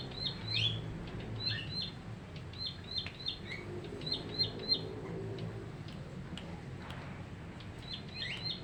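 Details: Caged bar-winged prinia, caught three weeks earlier, sings short bursts of quick, thin high chips in clustered runs separated by quiet gaps, over low background hum.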